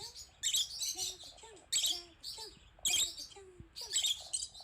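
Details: Pet female rosy-faced lovebird upset by her own image on a screen gives grating, raspy screeches in four bursts, separated by soft, gliding whistled notes.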